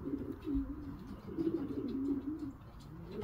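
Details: Young racing pigeons in training give low, wavering coos in two drawn-out phrases, a soft throaty murmur with background room noise.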